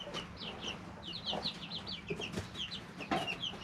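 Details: Domestic chicks, three weeks old, living in a brooder: many high, quick falling peeps in steady overlapping bursts, with occasional low knocks and rustles from movement.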